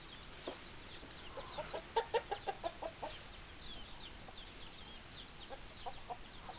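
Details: Hens clucking in a flock: a quick run of short, hollow clucks repeated about three times a second, rising and fading, with further scattered clucks and faint chirps from other birds throughout.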